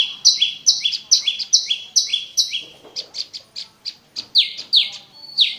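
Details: Prenjak lumut prinia song played to coax caged birds that have stopped singing. Rapid two-note phrases, a high note falling onto a slightly lower sliding one, repeat steadily, then break into looser chirps before the pattern resumes.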